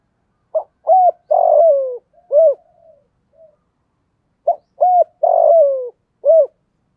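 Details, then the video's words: Lure spotted dove's 'giọng thổ' cooing: two phrases about four seconds apart. Each has quick low hoots, a sustained grainy falling coo, and a clipped last note. Faint murmurs fall between phrases. "Chim Cu Mồi- cu gay giong tho cuc dinh mở là 100% bổi gáy"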